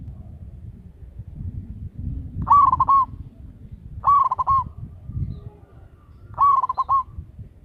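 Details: Local zebra dove with a big voice, kept as a lure bird, repeating a short trilled coo phrase three times, roughly every two seconds, against low-pitched background rumble.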